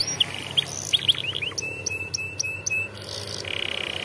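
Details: Canary song for young canaries in training: scattered chirped descending notes, a steady high whistle with clicks, ending in a brief buzzy trill.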